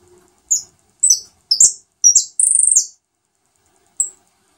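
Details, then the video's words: Saffron finch, called jilguero dorado, feeding a new brood of chicks; short high chirps and thin whistled notes, with a rapid rattling trill near the middle, then a lone high note after a pause. "Jilguero Dorado"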